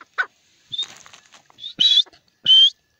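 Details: Teetar, a francolin, calling with loud grating notes that grow longer and stronger toward the end, several bursts in three seconds, a few softer clicks and scratchy sounds between calls.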